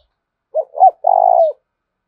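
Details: Spotted dove lure call intended to excite other doves: a pair of brief curved hoots lead into one drawn-out, vibrating low coo that drops slightly at the finish. No other sounds are heard.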